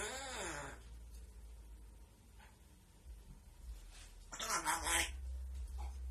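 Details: A grey parrot (Psittacus erithacus) gives a brief rising-and-falling harmonic call, then a harsh, raspy burst a few seconds later, over a low indoor hum.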